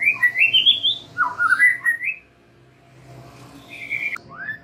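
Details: Song of a white-rumped shama used to lure young forest birds: rising whistled phrases and a bright slurred run, then a quiet gap and a few softer whistles.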